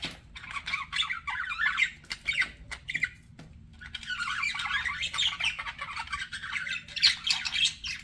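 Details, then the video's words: Flirting pet budgies chatter in bursts of raspy squawks and buzzy warbling, a quieter stretch in the middle before a dense run of scratchy chirps toward the end. "BUDGIES FLIRTING"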